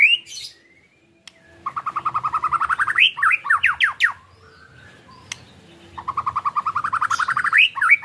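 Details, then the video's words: Caged-bird stimulation recording of white-rumped shama song: rapid rattling trills of many short repeated notes, slurred downward whistles, a short gap, then the trill again. "PAncingAN MURAIbatu KETREKAN murai bikin mb mu bongkar isian"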